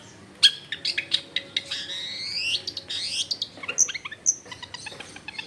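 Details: Long-tailed shrike in varied song used to draw other shrikes into singing: harsh grating phrases and rising sweeps, mixed with sharp high pips and quick chatter.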